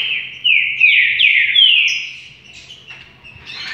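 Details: A rufous-collared sparrow sings one phrase of sliding whistled notes that fall in pitch, then a high short note and quieter trailing sounds, low hum behind.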